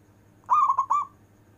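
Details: A single long-breath cooing phrase from a prized local zebra dove: three bright, quickly linked coos with a wavering, rolling quality. The last coo trails off smoothly. Quiet low hum behind.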